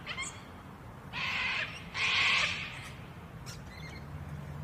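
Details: A Little Lorikeet feeding in a big Yellow Box tree in Canberra, Australia, in May 2021, alongside Musk and Rainbow Lorikeets, gives two harsh, buzzy, high-pitched screeches about a second apart, with fainter chirps around them and a low background hum.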